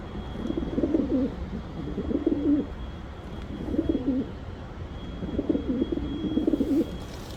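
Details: Five low, rolling pigeon coo phrases, each a burbled rise followed by a dropping, purring end, set against a faint low hum.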